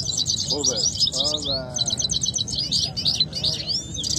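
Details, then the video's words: Two canaries in a singing contest at Quetta, each pushing the other to outsing it. Dense, rapid high chattering trills and warbled rolls pour out nonstop, with short lower whistled slurs mixed in and a faint murmur of voices underneath. "nazar Saira Vs gholam Saira singing fighting who will win"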